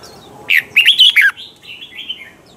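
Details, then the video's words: Red-whiskered bulbul singing, recorded as a lure song for training caged birds; a quick burst of four loud warbled notes near one second, then softer trailing whistles. "chào mào hót âm kép già rừng hay tuyệt!"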